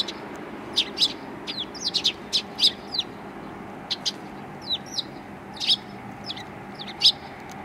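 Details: Sparrows welcoming the recordist on 7 April 2020, among them one with a hurt leg; bright, high, clipped chirps come one after another at uneven gaps against quiet background noise.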